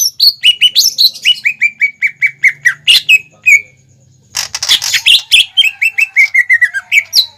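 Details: Greater green leafbird singing vigorously as a lure for young birds to copy: long runs of rapid, descending whistled notes, a short pause, then a noisy burst followed by more quick chirps.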